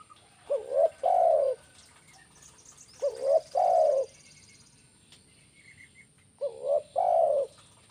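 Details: Spotted dove calling in the kuk 1 style, used to lure birds: three phrases, each a short rising note and then a longer wavering coo, repeated roughly every three seconds over a faint steady high whine.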